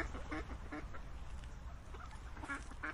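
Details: Ducks quacking in short, nasal bursts, several calls spaced about half a second apart, then a pause and another quick pair near the end, over a low background rumble.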